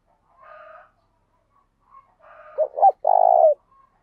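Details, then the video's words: Caged decoy spotted dove trained with kích bổi, cooing in 'gáy sung' style: after a soft hoarse call, one phrase of a quick stuttering double note and a long sustained low coo. "Chim Cu Mồi Gáy Sung"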